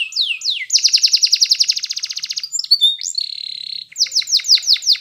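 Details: Training song of a yellow Spanish Timbrado canary: sweeping whistled notes lead into a long rapid metallic trill, then a flat buzzy tone and more quick downslurred whistles.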